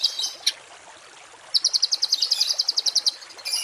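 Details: High, shrill songbird notes from a masteran recording of rough 'tembakan kasar' phrases for training kept birds. A couple of sharp chirps, a quick burst of about fifteen piercing repeated notes, then another harsh burst at the end.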